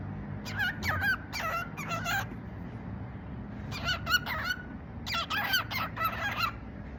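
A cockatiel chatters in three bursts of raspy, speech-like phrases over a low background hum.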